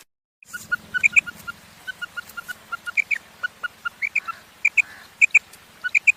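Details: Female quail giving a fast series of short high notes, often doubled, repeated steadily throughout with some lower single notes between, over a constant low hum.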